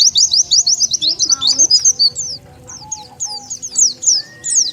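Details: Lure call of the Oriental white-eye for attracting wild birds: rapid high twittering notes in a quick burst that then thins out into scattered chirps, with soft lower tones and a brief rising whistle in the background.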